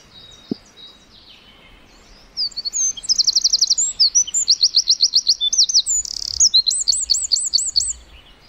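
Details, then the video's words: Eurasian wren in song, opening with a few thin notes, then bursting into a rapid string of high, metallic trills and rattles lasting about six seconds before stopping. "Singing Eurasian Wren Bird: Best Bird Song"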